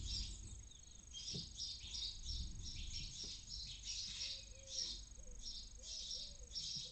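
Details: A barn owl chick inside a nest near Casa Palillos visitor centre, Cabañeros National Park, Spain, gives rasping, hissing bursts about twice a second, high and breathy, over a low rumble and faint thumps, early morning.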